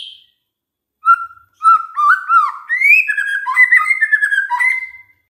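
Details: White-rumped shama song played to encourage other shamas to sing: a few soft slurred whistles that build into a longer varied warble of fluting notes, clean with no background.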